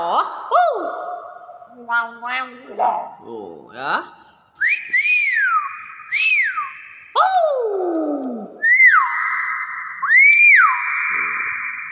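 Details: Nias hill myna giving loud whistled calls: slurred notes dropping and rising, several long flat tones and rising-falling whistles with rich overtones, plus a rapid quavering stretch; mimicry-like variety, with a human voice exclaiming at the start.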